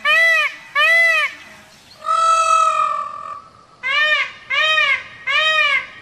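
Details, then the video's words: An Indian peafowl gives loud, nasal, trumpeting wails: two short cries, one long drawn-out wail, then three more short cries in quick succession. "peacock sound"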